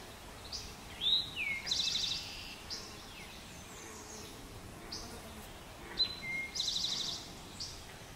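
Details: Two full songs from a male Eastern towhee, recorded 26 June 2024 in Pleasant Valley Wildlife Sanctuary, Lenox, Massachusetts. Each song runs a bright downslurred note, a lower note and a rapid rattling trill, about five seconds apart. Soft distant birdsong continues.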